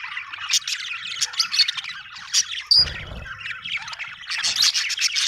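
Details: Budgies chirp happily in a lively jumble of high warbling twitters and squawks, with a short whistled note and a soft low knock near the middle.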